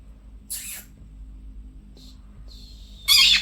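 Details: Pet conures, two birds kept at home, chirping: a short harsh screech, then a quiet pause with faint tones, and a louder raspy screech near the end.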